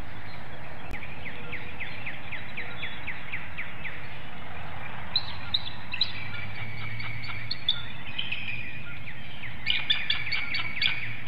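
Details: On a webcam nest in Hanover, Pennsylvania, at dawn on 4 April 2019, a female bald eagle calls for her mate to take a nest shift: bursts of rapid, high, piping chitters, one series near the start and more toward the end, over constant hum.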